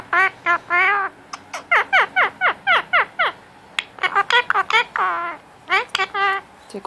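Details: Male Indian ringneck parakeet at home during cuddle time, talking for attention: rapid series of sharply falling chatter notes, about four per second, followed by broken warbling phrases.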